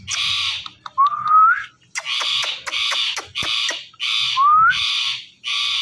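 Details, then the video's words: Pet Indian ringneck parakeet that talks and dances, mixing harsh buzzy squawks with two short rising whistles and a few sharp clicks. "Indian Ringneck Parrot Talking and Dancing"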